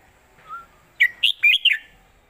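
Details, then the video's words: Red-whiskered bulbul giving an old southern Thai style song for teaching young birds: a faint low whistle followed by four loud, rapid, bubbling notes that rise and fall. "ขึ้นจก"จก ควิก ไขว ยอ/สำนวนใต้เก่าๆ/เพลงใต้แม่บท(ไว้สอนนก)"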